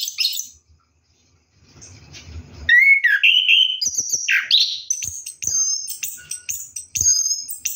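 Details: Orange-headed thrush singing while bathing at night; after splashing, a loud downslurred whistle leads into quick varied high phrases and sharp repeated chips.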